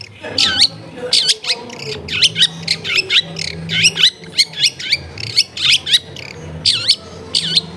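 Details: Energetic long-tailed shrike song, used as a lure to make lazy shrikes sing, recorded at a home in a crowded area: steady string of loud, arched, ringing chirps roughly every third of a second, over a faint low hum.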